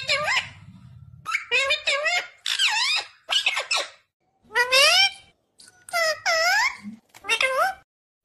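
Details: Talking pet ringneck parakeet, said to say mummy and papa, producing a rapid run of short, shrill, speech-like syllables with rising and falling pitch, some soft background murmur at the start.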